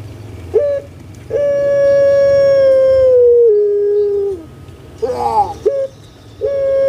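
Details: Kept puter pelung dove from Indonesia, recorded to encourage lazy birds to sound off. A brief note is followed by a long level hoot that steps down in pitch and then a throaty gurgling burst, and the pattern repeats.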